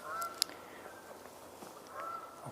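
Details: Several geese flying by unseen behind the listener on a trail on 29 October 2022 give two faint, nasal honks, one near the start and one near the end, over quiet outdoor hiss; ducks had just flown off.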